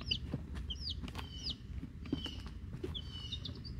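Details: Week-old hatchery chicks, Rhode Island Red and Black Sumatra hens with one unknown chick; a few scattered high slurred peeps over a strong low rumble and light tapping.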